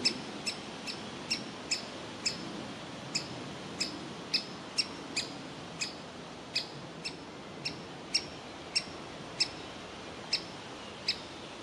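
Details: A juvenile woodpecker that will not leave its nest cavity calls to be fed: short, bright, ticking notes, roughly two each second, steady for the whole stretch, with quiet background hiss.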